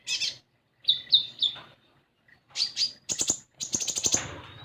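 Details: Common iora song meant to prompt a young caged bird to start calling: high slurred chirps, a quick three-note phrase, then rapid ringing rattles that run into each other.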